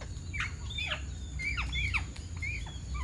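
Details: Alexandrine parakeet, also called Ceylon large parakeet, a resident bird in Sri Lanka: a run of harsh, loud screeches, each sweeping sharply downward, given in quick bursts of two or three over low steady background rumble.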